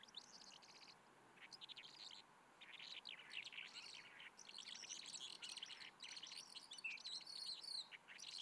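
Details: Calandra lark (Melanocorypha calandra) at Alikes Kitrous, Macedonia, Greece, 2018, pouring out a rapid, unbroken jumble of bright chirps, trills and scratchy notes, high-pitched and fast, over a quiet open-country background.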